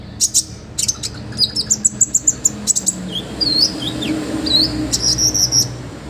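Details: Olive-backed sunbird in rich full song, a tutor track for training other birds: a rhythmic series of evenly spaced high ticking notes, then looping whistled slurs and a short high trill, with a faint low hum.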